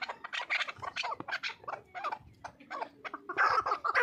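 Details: Chukar partridge uttering repeated clucking chuk notes in quick, irregular groups, growing louder and more crowded toward the end.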